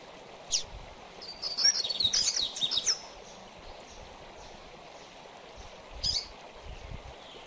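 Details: Double-collared seedeater singing in the mateiro style, used for training: a fast burst of high twittering, chirped notes lasting about two seconds, with single sharp chips before and after, over a steady hiss of background noise.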